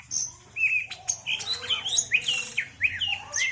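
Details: Cucak ijo, the greater green leafbird, pouring out a dense, fast medley of whistled, upslurred and downslurred notes, its song packed with varied isian phrases, in a 'setting betina' session.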